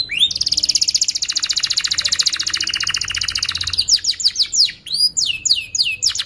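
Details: Canary song used to teach young canaries and encourage silent ones: a long fast pulsing roll lasting nearly four seconds, then clear looping whistled sweeps repeated in quick succession.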